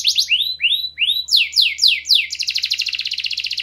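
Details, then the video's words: Clear canary song used to stimulate quiet canaries: quick notes, rising whistled swoops, a few strong descending notes, then a fast buzzy trill, over a soft low hum. "KENARI GACOR SUARA JERNIH, PANCINGAN KENARI MACET AGAR CEPAT RAJIN BUNYI"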